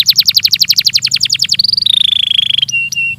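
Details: Belgian canary singing a training song: a rapid string of down-slurred notes roughly ten per second, followed by sustained whistled tones that step lower, closing with a few brief sharp notes.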